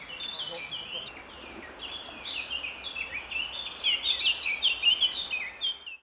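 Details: Lesser spotted woodpecker at its nest cavity during feeding, 20 May 2017, with at least two young that left the nest that evening: a busy, high, squeaky chittering of many short overlapping notes that swells louder in the last seconds.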